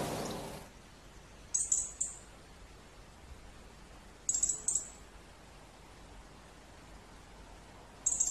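A European robin gives very high, thin chirps in short clusters, about every three seconds, with quiet pauses between; a brief rustle of noise opens.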